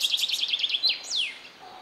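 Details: Red-necked tanager, Tangara cyanocephala, of eastern South America: a fast series of high chirps, then a quick rising note and a long clear whistle sliding downward, with a faint low tone at the end.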